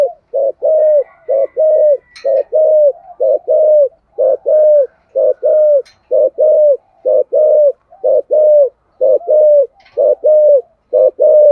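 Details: Long steady run of spotted dove coos in the 'giọng thổ' voice, aimed at stimulating other doves; regular couplets of a short note and a longer falling note repeat about once a second with faint clicks between.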